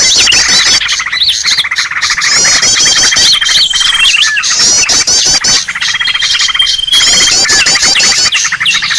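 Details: Green leafbird giving a noisy lure call: repeated bursts of loud, dense chattering trills and whistles, some long level whistles inside, separated by short quieter dips.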